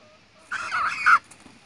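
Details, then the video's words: Young rooster giving a short, rough crow lasting under a second, a hoarse burst with a brief rise and a sharper final note, with no other sounds around it. "Little roo crows"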